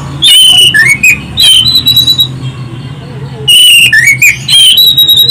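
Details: Lure recording of a loud Orange-headed thrush with shrill, melodious whistling: two dense runs of rapid whistled notes, stepping down then climbing to a long high held whistle, with a low hum underneath.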